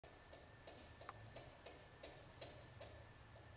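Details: Pet pigeon father, a single parent after his mate was taken by a hawk, feeding his baby; thin high wheezy peeping repeated about three times a second, a steady whine throughout, with soft low clicks.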